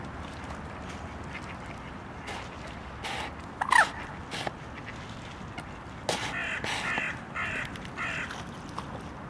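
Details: Common Moorhen in Tivoli Landscape Park, Ljubljana, 4 December 2023: one loud, abrupt croaking call, later a few harsher, scratchy bursts over a steady background hiss.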